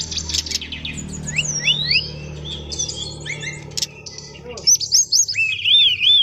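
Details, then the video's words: Brown-chested jungle flycatcher song with rapid high chirps and downslurred whistles, then clear looping whistled notes, heard over a steady low rumbling background noise. "BURUNG SIKATAN RIMBA DADA COKLAT NGEROOLL PANJAAAANG"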